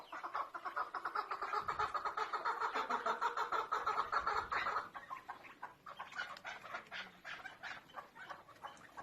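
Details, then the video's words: Female chukar partridge giving a fast series of clucking chuk notes, repeated several times a second, steady for about five seconds and then fainter and more broken. "keklik sesi chakor birds voice awaz sound bird dasi farmi female madi"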